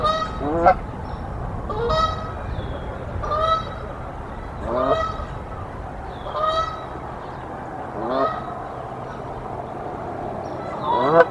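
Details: Canada geese at Decorah, a nesting pair fighting off an intruding goose on 1 April 2024; rhythmic honks roughly every one and a half seconds, each a rising nasal note with rich harmonics, against faint background hum.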